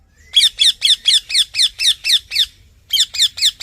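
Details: Green parrot screeching steadily: about ten harsh, high notes at an even pace, a brief pause, then four more in the same rhythm.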